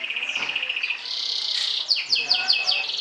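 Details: Champion Atlantic canary trilling to provoke and overpower rivals: high rapid buzzy trill held steady, then a brighter rolling passage and a run of sharp repeated whistled notes at about five per second.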